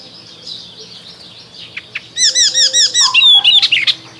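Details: In spring, an Icterine warbler gives a fast series of about eight identical high arched notes, followed by a nasal whistle and scratchy trill, after faint background calls.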